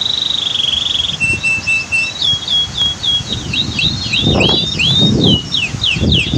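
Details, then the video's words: Canary song set against the rushing water of a waterfall and dam in a natural setting: sweet whistled notes, then a long series of rapid rising and falling trilled phrases, with the low roar of water throughout. "Masteran Kicau KENARI"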